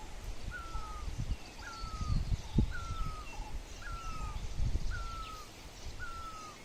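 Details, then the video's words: Birds at sunrise near Dharamshala: a short whistled note sliding slightly downward, repeated about once a second, over heavy low rumble and wind-like noise with faint background chatter. "Beautiful Sunrise Video with birds Chirping Sound"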